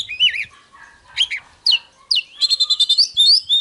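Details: Oriental magpie-robin song starting with wavering, warbled whistles, then scratchy notes, and ending in a quick series of about eight repeated chirps followed by bright rising whistles.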